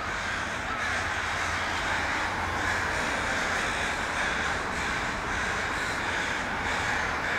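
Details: A large group of crows gathered in a tree in Vancouver, Canada, filmed with an iPhone 5S. Raucous caws pile on top of each other without pause, forming a continuous noisy wall with faint low rumble beneath.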